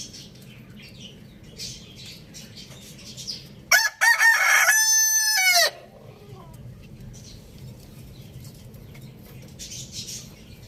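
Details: Morning crow of a rooster: after several seconds of quiet small-bird chirps, a loud harmonic cock-a-doodle-doo with a stuttered start and a long, steady, slightly falling final note, followed by more faint chirping.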